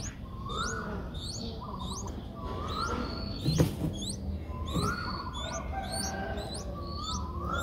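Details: Streak-eared Bulbul (Pycnonotus conradi) nestling, six days old, begging in Ubon Ratchathani, Thailand, on 8 April 2023: thin, high, rising chirps repeated rapidly, with lower slurred notes over a steady low background rumble.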